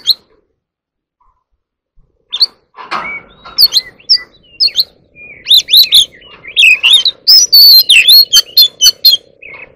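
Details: Oriental magpie-robin in competitive singing: after a quiet start, a rapid run of varied whistled notes, sliding and warbling phrases and sharp chirps builds to a dense, fast burst in the final seconds.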